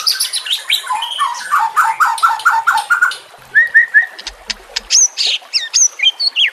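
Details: Varied white-rumped shama song meant as a master recording for training caged birds: high tumbling phrases, a run of repeated mid-pitched slurred notes, then sharp upswept whistles and chattering.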